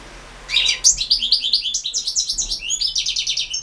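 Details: Singing European goldfinch entered in a 2016 internet championship for goldfinch song: a continuous, rapid run of high, tinkling and slightly buzzy twitters, roughly eight notes per second, clear and close.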